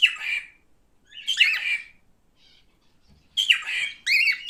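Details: Pet male cockatiel giving loud, harsh squawking calls, each a rough rising-then-falling screech, in two bursts separated by a quiet gap of about two seconds.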